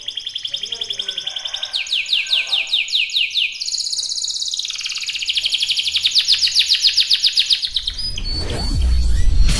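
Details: Singing canary pouring out fast trills and a series of falling whistled notes, then a long high rolling trill; near the end a burst of loud low noise covers the song.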